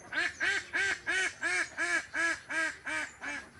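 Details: Domestic ducks, part of a large flock swimming together in a green village pond, give a steady series of loud nasal quacks, about ten evenly spaced calls repeated roughly every third of a second.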